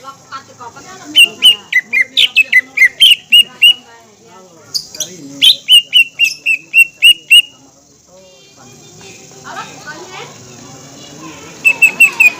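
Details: Green leafbird song played as a lure to excite young and juvenile leafbirds into singing. It comes as bursts of quick, sharp whistled notes separated by quieter gaps. A faint chattering follows near the end, over a steady high hiss.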